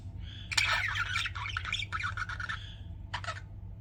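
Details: Budgerigars chatter in scratchy, buzzy bursts of warbling chirps, a pause, then a brief closing chirp, with a low hum underneath.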